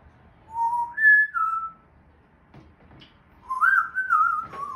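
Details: Four-year-old pet grey parrot (Jako) giving imitations: two clear whistled phrases, each rising then holding level and dipping slightly, separated by a quiet gap with faint clicks, in a small indoor room.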